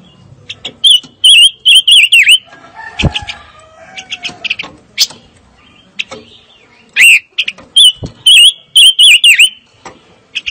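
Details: Fire-tailed myzornis whistling in two bursts of rapid, up-and-down slurred notes, separated by sharp chirps and a few low tones.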